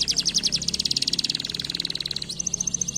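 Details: Canary singing, used to prompt lazy canaries to sing: a rapid, rolling high trill of quick pulses, followed by a steady, sustained high whistled note.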